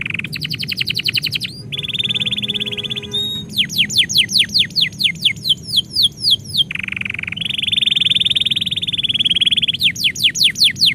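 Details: Domestic canary singing as its owner is about to leave: a fast rattling trill, a steady buzzy tone, then series of sharp downward-slurred whistles alternating with long buzzy rolls, each phrase repeated rapidly.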